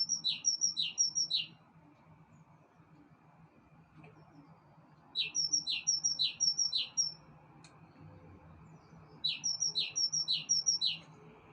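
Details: Bird singing on a balcony: bursts of quick high chirps in short runs about a second long, paired bright whistled notes repeated rapidly, with pauses of several seconds between bursts; faint low hum underneath.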